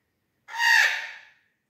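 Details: A young Eclectus parrot chick gives one harsh, raspy squawk lasting under a second, rising slightly then fading, in otherwise quiet surroundings.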